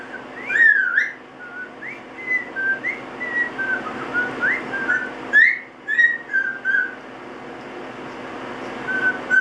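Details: Young male Double Yellow-headed Amazon, eight months old and kept as a pet, whistling a tune in the shower just after a light spray bath: a long string of clear, short whistled notes gliding up and down, with some sharp upward slurs.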